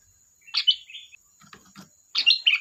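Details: Sooty-headed bulbul singing energetically: a bubbly phrase ending in a slurred whistle, soft low knocks, then a second quick warbled burst.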